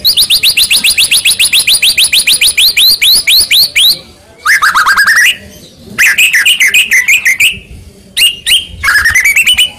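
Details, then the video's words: White-rumped shama song meant to provoke singing: a long rapid series of repeated high downswept notes, then looping whistled phrases and buzzy upsweeps. "Pancingan Handal Buat Murai Diam Seketika Langsung Emosi"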